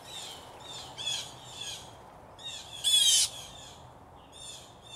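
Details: Blue jays, three to five of them, in a territorial battle in a backyard tree: a series of softer raspy calls, some overlapping, with one louder harsh scream near the middle.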